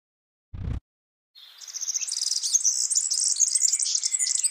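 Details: Wild yellow-fronted canary singing: after a low thump and a brief silence, a rapid, high, tumbling twitter starts and builds in loudness, with fast chirps and trills continuing to the end.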